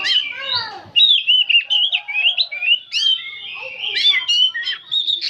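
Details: Old oriental magpie-robin singing nonstop in a nyerecet chattering style: a rapid run of bright whistled and scratchy notes, sliding up and down, with a few lower rasping notes at the start.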